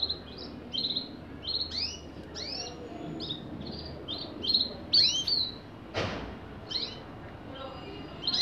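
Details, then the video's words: Canary singing a series of short chirps and upward-sweeping high notes in quick succession, with brief trilled phrases, a single sharp click midway, and faint low background noise. "Canario Pirata"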